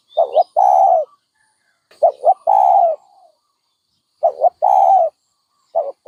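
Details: Low, soft dove coos, each phrase a short stuttered double note leading into a sustained mellow note, given in three bouts separated by quiet pauses.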